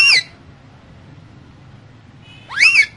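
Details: Caged pet parrot, one of two described as talking like humans; two brief, harsh, arching squawks, one opening the moment and another after a pause of over two seconds, with near silence between.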